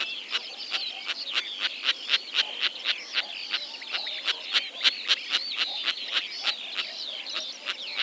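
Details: Kazakhstan recording of sociable lapwings calling: a brisk, regular run of dry clicks roughly four per second, mixed with bright rising-and-falling chirps and brief whistled trills, continuous chatter without pause.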